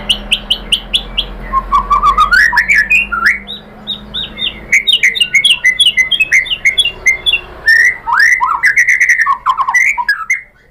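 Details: Murai batu, the white-rumped shama, singing a lure song meant to provoke rival shamas into full song: rich, fast sequences of whistled slurs and chirps, dense rising notes and clicks, nearly continuous, over faint low hum.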